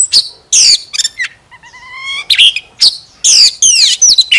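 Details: Oriental magpie-robin decoy song mixing loud chirps, a quieter rising repeated whistle phrase in the middle, and harsh, sweeping notes toward the end.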